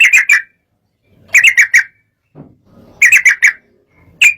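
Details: Sooty-headed bulbul in agitated song that makes rivals sing: short bursts of three or four quick bubbly notes, repeated about every one and a half seconds, with faint low murmurs between.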